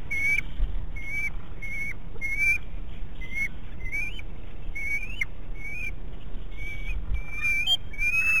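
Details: Young bald eagle on the Big Bear nest camera, 5 May 2018, squeeing excitedly before entering the nest: a series of thin, clear whistled notes, some slurring upward, repeated about every half second over steady background hiss.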